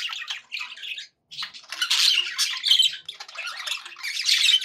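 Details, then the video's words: Budgerigars in happy chatter: a short scratchy phrase, a brief gap, then sustained loud buzzy warbling and squeaks from several pet birds together. "happy budgie sounds"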